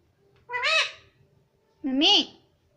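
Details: Talking baby ringneck parrot, a green rose-ringed parakeet kept at home, utters two separate drawn-out harmonic syllables about a second apart, the second lower and hoarser, in a quiet room.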